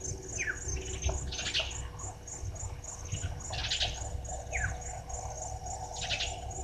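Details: Brown-headed parrots at Gowrie dam waterhole, Djuma Game Reserve, Sabi Sand, South Africa, 26 June 2023 at 16:54, from a live waterhole camera: sharp shrill calls and quick downslurred squeaks scattered through, over a steady high insect buzz and low rumble.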